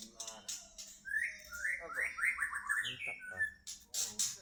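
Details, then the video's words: Indonesian white-rumped shama of the Medan type in song. Clear descending and rising whistled notes run in a quick connected phrase, mixed with sharp high chips and faint background noise. "murai batu medan"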